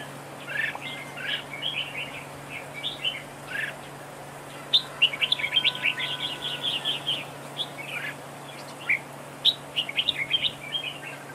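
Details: A red-whiskered bulbul decoy dueling at a trap pours out long sequences of cheerful warbled chirps, clustered rapid notes building in the middle, over a steady low background hum.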